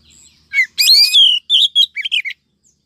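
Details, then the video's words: Female Oriental magpie-robin call used to lure males: a burst of harsh, rich chattering notes followed by quick varied chirps and short twittering phrases, in otherwise quiet surroundings. "Chòe than mái mới nhất 2023 kích trống dụ bổi nhanh ra giọng"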